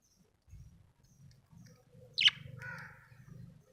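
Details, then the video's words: Happy budgerigar gives one sharp downward-sweeping chirp followed by a buzzy, nasal harmonic chatter, over a faint low rumbling background. "Happy budgie chirping sound"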